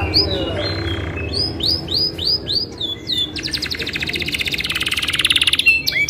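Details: Isabel canary singing long rolling song used to prompt other canaries to sing: repeated upslurred whistled notes, then a fast buzzy trill rising in pace, over low background hum.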